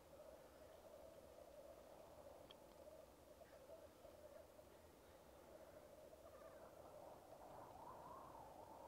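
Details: Bubbling, cooing chorus of black grouse at a lek, recorded with a Rode Videomic Go. A few faint higher notes appear early on. The chorus swells louder and rises slightly over the final two seconds.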